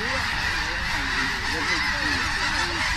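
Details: Vast flock of snow geese landing, Richmond, British Columbia, Canada, October 21, 2005; a brief burst of constant, layered nasal honking, short arched yelps repeating rapidly from many birds at once.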